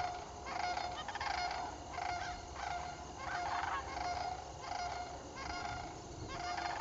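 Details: A troupe of sandhill cranes dancing together on fall migration southward, October 7, 2011; rattling, bugling calls in repeated overlapping bursts about every second, many birds calling at once over a constant hum.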